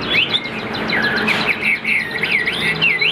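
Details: Brief burst of song from a caged Chinese Hwamei: wavering, swooping whistles over steady background noise.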